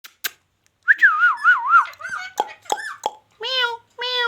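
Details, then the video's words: Caged pet rose-ringed (ringneck) parakeet mimicking a cat's meow: a warbling, wavering whistle, then clipped squeaky syllables and two drawn-out, nasal, meow-like cries close to the microphone in a quiet room. "king of talking |magical |parrot |king |of| magical |ringneck parrot"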